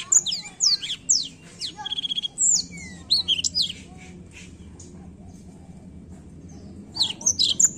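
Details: Varied black-throat song: descending high whistles, a short buzzy rattle, then a lower gliding note, a long quiet gap, and a final burst of shrill chirps.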